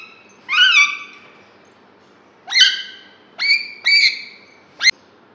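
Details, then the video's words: A caged green Alexandrine ringneck parrot talking: five harsh, nasal, speech-like syllables over about five seconds, the first two drawn out and the last clipped short, against a quiet background hiss. "Green Talking parrot"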